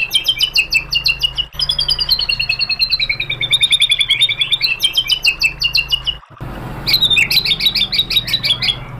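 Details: White-rumped shama used as a training lure to spur other birds to answer: long bursts of very fast, rattling trilled notes, slowly sliding lower, broken by a brief pause and then a sharp, high, renewed trill.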